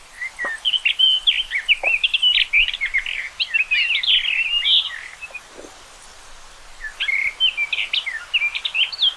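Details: Long, lively song from a common rock thrush: rapid jumbled whistles, trills and chirps run for several seconds, pause, then resume in a second fast warbled phrase.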